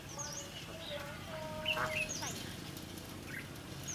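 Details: Red-whiskered bulbuls calling around a fighting trap used to catch wild birds; short level whistles and sharp chirps alternate with quick rising and falling notes, set against constant low noise.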